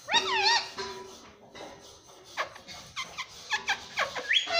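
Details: Talking parrot said to say mummy and papa: a wavering, whistled sound with strong harmonics opens the clip. Sharp, sliding squawks and chirps follow in an irregular run, indoors.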